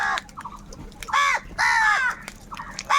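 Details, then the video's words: Crows fighting for food, giving loud, drawn-out, harsh caws of nearly a second each, with shorter clipped notes between them and a steady low hum underneath. "Crow birds loudly crowing sounds - কাকের ডাক Crow Sound | Kaka sound and noises of crow birds"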